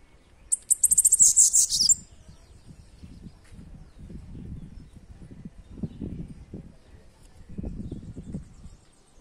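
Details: Bananaquit singing: a single burst of about one and a half seconds of very high, thin, rapid ticking notes that run together into a hissing, buzzy jumble. Low rumbling background noise follows.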